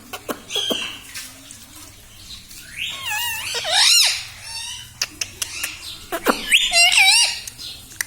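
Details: Tame talking parrot, said to repeat mummy and papa; soft clicks and taps early, then two clusters of wavering, swooping voice-like syllables around the middle and near the end, in a quiet room.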